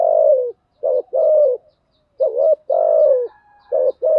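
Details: Repeated coos of a spotted dove played as a lure: long falling hoots alternating with short wavering double notes, with a faint higher steady tone in the background.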